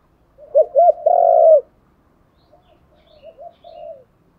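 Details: Decoy spotted dove calling to stimulate wild doves: two short arched notes and a loud sustained coo, followed by quieter, more distant cooing phrases.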